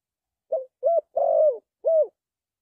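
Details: Spotted dove calling, recording used as a decoy for trapping: a short coo, a gliding coo, a longer rolling coo falling at its end, then a final arched coo, all low and mellow with clean silence between.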